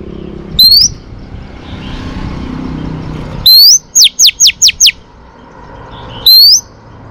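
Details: Female Oriental magpie-robin whistling to stimulate males for training: a lone rising whistle, then a rising whistle with five rapid falling notes, then another rising whistle. Faint low background noise.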